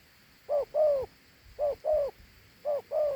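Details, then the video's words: Large dove with a well-regarded two-note coo gives three phrases. Each is a short note quickly followed by a longer, sliding-down coo, with about a second between them. "Thổ Hú âm gù hay.gù 2 âm gù quá tốt"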